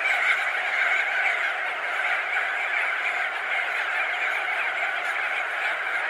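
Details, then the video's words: Massed crested auklets, thousands perched or circling, produce a constant dense babble of mid-pitched nasal calls with no gaps throughout. "Crested Auklet. MC - MCU Calls From Thousands Of Birds Perched And Wheeling Ove"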